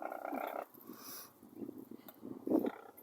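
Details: A Brolga at Longreach, Queensland, Australia gives a loud, harsh, trumpeting call, then softer low calls follow, mixed with a person talking nearby.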